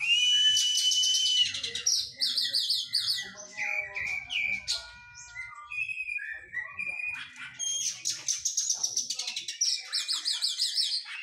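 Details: White-rumped shama singing during physical training after moulting: varied fast song mixing high whistles, descending slurred notes and dense rapid trills, phrases running together almost continuously.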